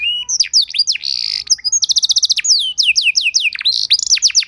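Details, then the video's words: Canary song used as a training master to teach other canaries, fast varied phrases: rapid buzzy trills and rows of downward-sweeping whistled notes, repeated high chips, clear and close with no other sounds. "Masteran dan Pancingan Burung Kenari Biar Punya Lagu Mewah!"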